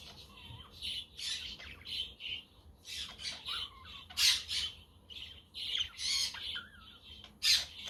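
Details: Budgies chattering on a sunny but windy day, meant as company for lone pet budgerigars; steady run of harsh squawks and chirps in uneven bursts, with a few thin whistled notes mixed in.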